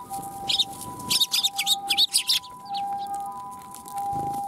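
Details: Sparrows coming to be fed at a Tenmangu shrine on 1 January 2021. A burst of sharp, high chirps packed into about a second and a half, over a steady mechanical hum.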